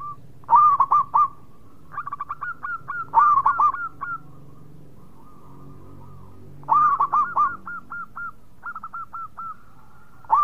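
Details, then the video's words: Repeated song phrases from a local zebra dove: bursts of emphatic stuttering coos, each trailed by a chain of lighter hooked notes, recurring roughly every three to four seconds. "Perkutut Lokal Gacor Suara Mewah"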